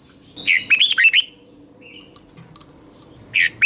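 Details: Red-whiskered bulbul decoy bird singing a contest song for voice training; one lively phrase of warbled, slurred notes, then a pause and a short burst at the end, with a persistent high insect-like drone.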